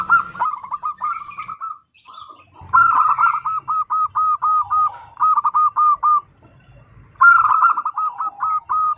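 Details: Zebra dove (Geopelia striata), call: female calling to the male.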